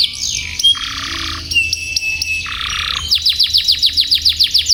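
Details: Canary tutor song for teaching young canaries long rolls: a continuous, high, rolling trill shifting between buzzy tours, then rapid repeated descending whistled notes, about three per second.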